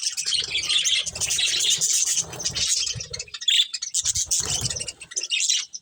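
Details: Colourful budgies while eating, with continuous high chattering and warbling over a steady low rumble that comes and goes.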